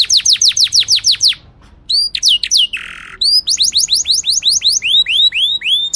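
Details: Canary (Serinus canaria) song meant to teach young birds to sing and to help females get ready: fast rolling tours of sharp, high whistled downslurs, a brief buzzy note, then arched whistles repeated several times a second.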